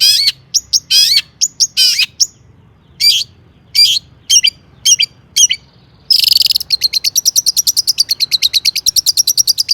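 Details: Long-tailed shrike singing a varied mimicking song, meant as a lure to get other shrikes singing; harsh churrs and sharp pips with pauses, then a long, rapid, even rattle of clipped high notes.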